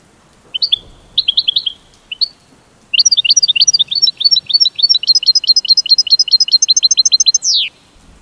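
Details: Goldfinch singing: a few short clusters of high chirps, then a long rapid twittering run of bright, rising and falling notes ending in a drawn-out slurred note.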